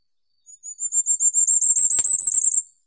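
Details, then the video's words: Firecrest delivering a single high-pitched song phrase of quick, evenly spaced notes that swell in volume over two seconds, with a sharp click partway through. "Как поёт Королёк красноголовый (Regulus ignicapillus)"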